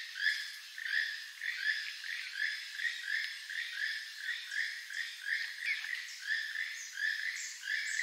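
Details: Long run of evenly spaced, grating croaks from a keel-billed toucan, about three notes per second, each note short and buzzy, continuing steadily for eight seconds.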